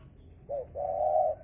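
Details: Spotted dove from a bird farm in Ba Vì, Hanoi, Vietnam, giving a low cooing phrase: a short hoarse note followed by a longer, steady, drawn-out coo. Faint background hum, with speech just before and after.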